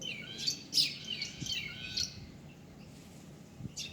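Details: Quick run of bright, high bird chirps and twittering notes in the first two seconds, then mostly quiet with a couple of faint clicks.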